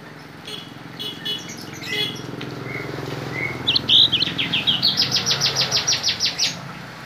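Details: Cinereous tit song with learned bar-winged prinia (ciblek) mimicry: scattered high chirps, then a quick run of bright, ringing notes about three per second, with prinia-like phrases mixed in, over a low hum.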